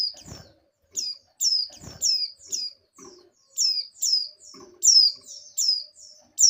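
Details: Oriental white-eye female in breeding condition calls the male: a steady stream of high, bright, falling chirps roughly every half second, with occasional low thumps and rustles.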